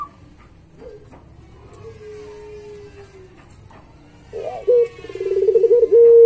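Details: Puter pelung, a Barbary dove, on a training master recording: quiet at first with a faint thin coo, then a louder burst leading into a rapid, wavering trill held at a steady low pitch.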